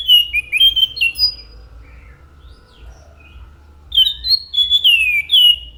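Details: Orange-headed thrush singing two bursts of varied whistled phrases, some rising and some falling, separated by a long quiet gap of about three seconds.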